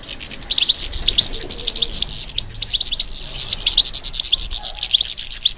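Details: European goldfinch singing, apparently captive and responding to stimulation; a rapid stream of bright, high twittering notes and short sharp chirps in quick succession, with several overlapping voices forming a busy chorus.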